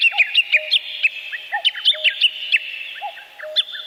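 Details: Birds singing in a forest: several overlapping songbirds give quick, sharp, downward-slurred whistled notes repeated in fast bursts, with lower clear whistles now and then and a steady high hiss in the background.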